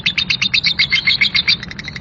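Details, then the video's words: Lovebird, described as a Labet, in a rough ngekek chirping: quick run of sharp, high chirps repeated in an even beat, then fading to softer notes at the end, with a faint low hum underneath. "Pasti Lovebird anda gak mau DIAM, dengar KIcau Labet NGEKEK KASAR ini"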